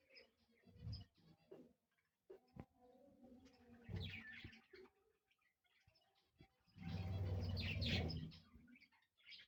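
A group of budgerigars chirps and chatters in overlapping warbled bursts, mixed with low rumbling and flutter noises.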